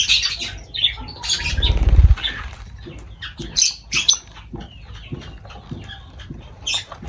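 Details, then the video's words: Lovebirds around their food: shrill chirps and squeaks scattered through, a brief flutter of wings early on, and soft pattering noise. "Love birds voice sound"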